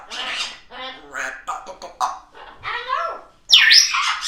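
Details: Chatty African grey parrot one morning: bursts of harmonic, voice-like chatter, whistled sliding notes and short clicks, finishing with a sudden loud, harsh squawk.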